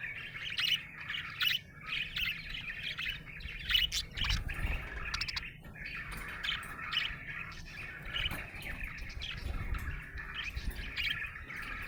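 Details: Cheerful budgerigar chirping in a long run of rapid squeaky notes and grating warbles, a few louder clicks, over soft low rumble.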